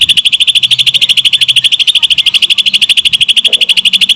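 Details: Greater green leafbird giving lovebird-imitation song, an even, fast run of sharp repeated chattering notes, about three per second, steady throughout with faint low background sounds.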